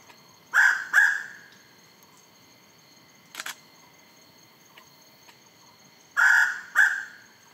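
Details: A Mountain Peacock-Pheasant, endemic to Peninsular Malaysia, gives a territorial call: loud, harsh paired notes, two in quick succession, repeated after a pause, over a faint steady high whine and one brief sharp knock.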